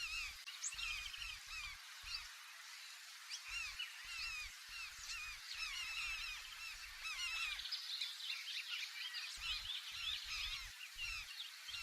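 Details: Large-billed terns heard from a canoe swinging with the waves: a dense, continuous chorus of harsh, arched calls from many birds, with low knocks and thumps from the canoe throughout.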